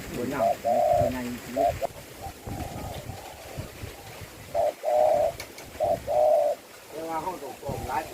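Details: Spotted dove with a sweet-sounding cooing song: low, steady hooted coos in two groups, one early and one around the fifth second. A man talks between and over the coos.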